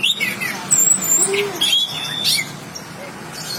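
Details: Tame chestnut-capped thrush singing a varied phrase of clear, high whistled notes, some slurred and sweeping, with one lower mellow note in the middle, then a quiet pause near the end.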